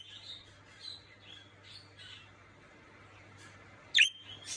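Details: Pet budgerigar calling eagerly to its companions (a harlequin male and a lutino female are kept) with short, high warbling bursts, ending with one sharp, loud squeak.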